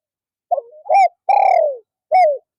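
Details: Caged decoy spotted dove cooing to attract wild doves in the afternoon: a soft wavering start, a short coo, a long falling coo, then one final short coo.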